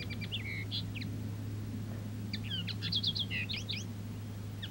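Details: Common linnet singing: two bursts of quick, varied twittering, with clipped chirps, short trills and bright rising and falling notes, the second phrase longer and richer, over a steady low hum.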